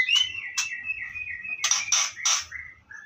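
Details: White-rumped shama chicks taken from the nest at harvest give harsh, raspy bursts of begging calls, several in quick succession, between thinner whistled notes, indoors.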